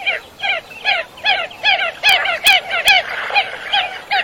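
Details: Common coot uttering a steady run of nasal, slightly downslurred notes, roughly two to three per second, with a few sharp clicks.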